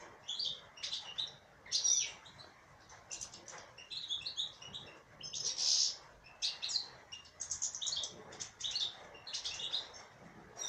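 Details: Female European goldfinch pouring out a long, scratchy twittering song of high chirps, thin whistles and rapid trills, delivered in overlapping bursts throughout.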